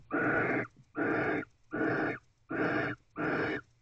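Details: Wild barn owl at a nest box at 3:02 am on 31 December 2023, guarding the box door without mating. It gives loud, breathy hissing screeches, each about half a second long, repeated roughly every three-quarters of a second.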